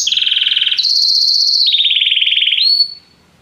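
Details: A canary delivers clean trilled phrases: a pulsed mid-high roll, a higher smooth buzz, a lower rolling trill, then a brief high note before silence.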